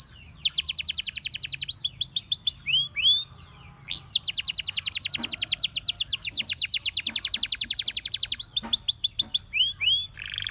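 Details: Singing canary delivering long, rapid high trills that change speed and pitch, broken by brief looping swept notes, in a continuous, bright, rolling song.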